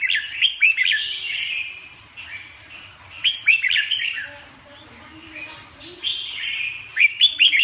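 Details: Red-whiskered bulbul singing in bursts of bright, chattering, warbled phrases with sharp rising notes, separated by quieter stretches of softer twittering over a low background hum.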